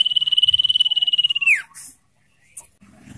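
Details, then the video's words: Ngetir-style song of a common iora, used to lure wild birds and train caged ones: one fast, even, high-pitched pulsed trill lasting about one and a half seconds, dropping sharply at the end, followed by faint clicks. "Burung sirtu/cipoh full ngetir"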